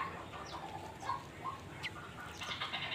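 A young bulbul gives short, scattered chirps and quick down-slurred squeaks, a few per second, over a steady hiss of background noise.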